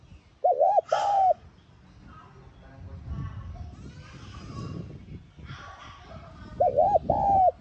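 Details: Spotted dove cooing to provoke a decoy bird. A two-note coo opens, a soft murmur of mixed noise follows for several seconds, then another wavering two-note coo closes.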